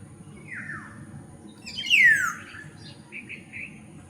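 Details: Black-naped oriole calls: a faint down-slurred whistle, then a louder, sharper descending slur, followed by a few soft short notes over steady low background hum.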